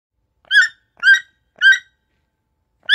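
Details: Toucan giving loud, harsh, nasal croaking notes with rich harmonics, four evenly spaced calls about half a second apart, a short pause before the last; clean background with no other sounds.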